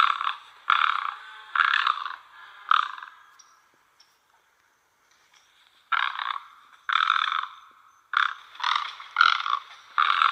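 Great egret giving harsh, rasping croaks, about a dozen in two bouts of quick repeats separated by a three-second silence; no other sounds.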